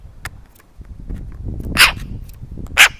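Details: Eurasian magpie disliking a camera set close to its food, uttering two loud rasping barks about a second apart, like a small dog yapping, over a low rumbling background.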